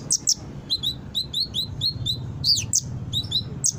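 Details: Brown-throated sunbird (konin) in lively song, used as a lure so untrained sunbirds respond and start singing: thin, high chirps and short downslurred whistles in quick irregular bursts, with a low steady hum underneath.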